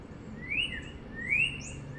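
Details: Two bright slurred whistles, each climbing then sliding down, from a northern cardinal on a wire in sunny North Central Florida during spring 2022, over soft low background noise.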